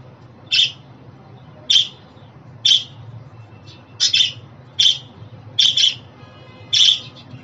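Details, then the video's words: Single and paired short, rasping chirps from a pet budgie, spaced roughly one second apart against a quiet room hum. "Muhabbet Kuşu Sesi, Kuş Sesi! Muhabbet kuşu ötüşü, muhabbet kuşu çağırma sesleri!"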